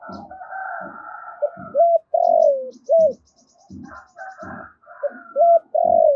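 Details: Decoy spotted dove gáy to attract wild doves, recorded directly: repeated short-long-short cooing phrases over a hum of softer overlapping cooing and dull low thuds, with a faint high ticking series.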